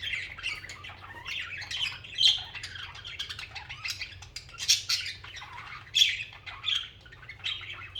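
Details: Pet budgerigars singing and chirping together, a busy chatter of scratchy, buzzy warbles and sharp clicks that comes in repeated bursts, some louder squawks standing out, over a faint low hum.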